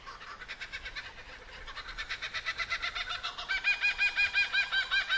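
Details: Kookaburras in the Victorian bush, Australia, cackle in rapid repeated bursts, about three notes a second, building louder into a raucous laughing chorus over a faint steady hiss.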